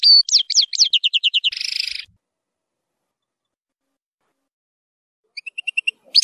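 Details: Goldfinch tutoring song for young birds: a brief burst of twittering and evenly repeated notes ending in a buzzy trill, a long silence, then a few soft chirps.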